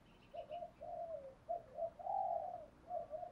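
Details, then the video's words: Spotted dove (cu gáy, cu cườm) cooing in the thúc gù and gáy gọi style that draws wild doves to answer. Fairly faint, soft, low hooting coos run in an uneven series, the longest note mid-phrase, with faint higher chirps early and a background hiss. "tiếng chim cu gáy bài bản [ Thúc Gù + Gáy gọi ] bổi nghe gáy theo liền/ cu cườm thúc gù"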